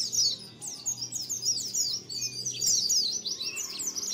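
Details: Lure recording of a white-eye colony: a busy tangle of high, sweeping chirps and twitters from several birds, with a faint low steady hum underneath.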